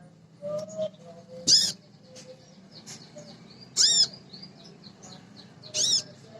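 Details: Female Crimson Sunbird calling for males, used to lure other birds into singing. Three loud, sharp, high arched notes at about two-second intervals, with faint thin chirps and a soft low hum between them.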